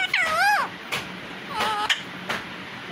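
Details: Indian baby parrot at a door, screaming and trying to say a word: two wavering, warbled, harmonic squawks that rise and fall, the first longer, separated by soft knocks and a steady low indoor hum.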